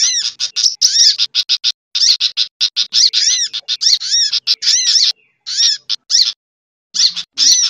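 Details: Noisy sunbird lure mix blended with other small-bird lure calls: dense, fast series of bright arched chirps and twittering notes, nearly continuous, with a few brief pauses near the end.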